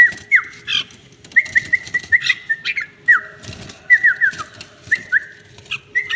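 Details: Tame red-whiskered bulbul singing clear whistled phrases of quick, downward-slurred notes in short bursts separated by brief pauses, with sharp clicks and rustles in the background.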